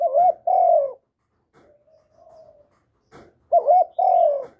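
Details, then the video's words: Spotted dove giving lure calls aimed at other doves. A strong, mellow double coo is followed by a hushed, low murmur. A click leads into a second loud phrase with a warbled note and a long, falling coo. "Chim Cu Gáy Liên Tục, Gáy Gọi, Thúc, Gù, Bo, đảo giọng kích bổi hiệu quả. cu đất gáy, cu cườm gáy"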